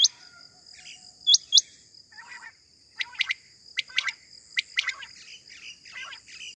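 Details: Morning quail call for hunting: a few high whistled notes early, then tight triplets of clicky chirps every second or so, with soft scattered chatter and a steady high whine.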